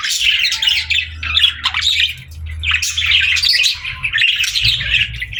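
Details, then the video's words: Parakeets chirping while they play and talk, short bursts of high twittering and squeaky squawks that rise and fall with brief dips between phrases. "Parakeets Playing, Singing & Talking | Relaxing Chirping Sounds"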